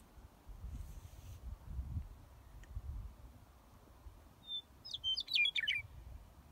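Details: Western meadowlark perched on a green harvester at Rocky Top area, Washington: after quiet low rumble, a single clear whistle, then a quick tumbling phrase of fluty, gurgling notes slurring downward near the end.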